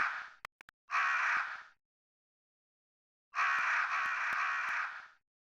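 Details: Crow giving harsh, hoarse caws: a short burst followed after a pause by one long drawn-out grating caw, with sharp faint clicks and complete silence between calls.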